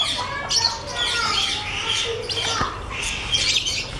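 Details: Helmeted guineafowl breeder pair give harsh, scratchy squawks in overlapping bursts, with higher chirping and rustling around them.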